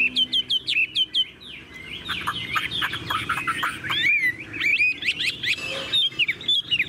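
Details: Tame caged Chinese hwamei: opens with a quick series of sharp repeated high chips, then bursts into a loud, rambling, varied warble of twisting whistles and buzzy notes, ending with more crisp chips.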